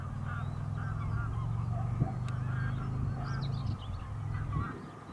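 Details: Canada goose goslings, young hatchlings from a productive breeding season among many local geese, seen eating, playing or resting: a run of short repeated nasal notes, then a brief burst of high twittering peeps, over a steady low rumble.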